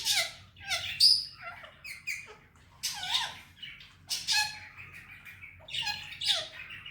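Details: Talking pet male Indian ringneck parrot uttering Hindi-Urdu words: loud, grating syllables in three or four spaced groups, each with bright, harsh voiced notes.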